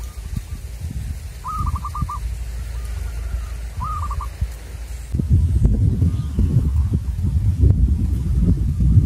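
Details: Local zebra dove (perkutut), a wild-caught lured type. It gives two short bursts of quick, stuttering coo notes early on, then heavy low rumbling and knocking noise takes over for the second half.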